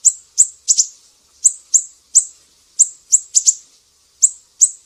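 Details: Sumatran mangrove whistler in its piercing besetan style, a master recording for teaching songbirds: high, sharp downslurred notes, some paired, spaced by short irregular pauses over a quiet background.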